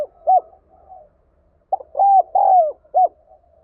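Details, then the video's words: Spotted dove calling in the prompting style used to stimulate tamed decoy doves: a soft coo, a quiet murmuring gap, then a phrase of a clipped note, two drawn-out mellow coos and a final short coo. "Tiếng Chim Cu Gáy Thúc Gáy Gọi"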